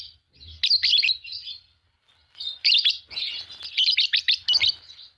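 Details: A pair of green Fischer's lovebirds chirping and singing: dense bursts of high, shrill, scratchy twitters, separated by short pauses, with rapid chattering notes in the second half.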